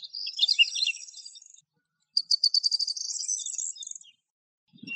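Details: Song of a lark: a warbling, slightly buzzy phrase, then a high, rapid, rattling trill of repeated notes lasting about two seconds, with a brief low thump at the end.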